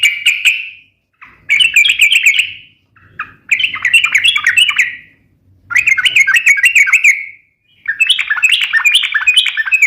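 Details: Lively yellow-vented bulbul song meant as a lure and training model: five rapid, rolling chattering phrases of about a second each, divided by brief gaps, some phrases rising into higher warbled notes.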